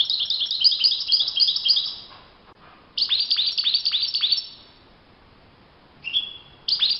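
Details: European goldfinch singing freely in nature: a lively, jangling stream of high twittering notes, a brief pause, a second run of sharp descending chirps, then a short whistled note and a renewed twitter.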